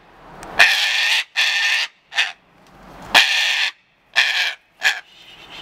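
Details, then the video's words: A cockatoo throws a tantrum with harsh, raspy screeches in two bursts of three, two long shrieks then a short one, with brief pauses between. "'Too Tantrum"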